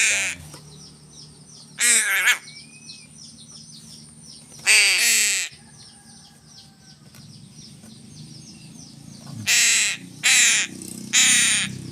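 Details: Crow being fed fish, giving harsh broadband caws: a single caw near two seconds, another near five, then three in quick succession toward the end, over a low steady hum.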